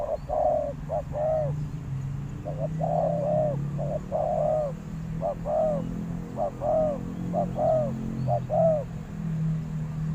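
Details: Decoy spotted dove luring wild doves, repeating mellow paired coos, a short note then a longer arched one, over a steady low droning hum throughout.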